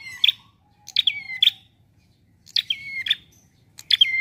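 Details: Relaxed song of a prinia, used to lure birds for trapping: a short lead-in chirp, then two phrases of high notes dropping into a level whistle that ends in a crisp chip, with near-silent gaps between.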